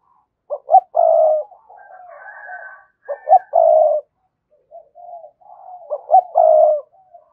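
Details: Repeated spotted dove song calling out a rival bird: three phrases, each two short notes then a long rolling coo, with soft murmuring coos between them.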